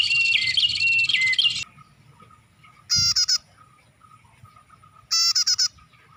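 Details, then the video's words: Bar-winged prinia calls used as a lure: a busy chattering phrase with whistles, then a pause, and two separate bursts of five loud, buzzy notes about two seconds apart. "Suara Pikat Burung Prenjak"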